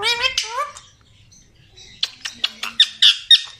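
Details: Talking parrots at a Karachi bird market: a harmonic, voice-like rising phrase opens, then a pause and a run of short sharp squawks and clicks repeated rapidly, with faint speech nearby.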